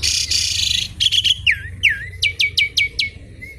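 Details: Asian pied starling singing, used as a lure and as material for training other birds: a harsh noisy burst followed by a series of sharp downslurred whistles repeated in quick succession.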